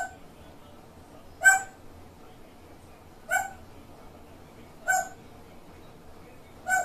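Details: Grey parrot giving its quirky, distinctive call: harsh, nasal squawks repeated about every one and a half seconds, four in a row, over a low indoor hum.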